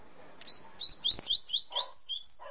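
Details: Double-collared seedeater (Sporophila caerulescens) sings a tui-tui whistled song: a fast run of high, clear whistled slurs, mostly falling, about four or five a second, with a faint murmur behind.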